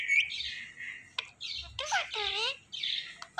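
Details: A pet talking parrot chatters in short bursts, mixing raspy notes with curving, voice-like harmonic sounds and a quick click.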